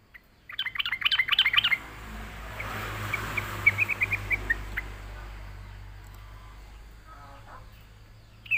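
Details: Yellow-vented Bulbul (trucuk) singing energetically, used as a lure to draw in other birds: a quick burst of bright chirpy notes, then a faint scattered twittering over steady low rumbling background noise.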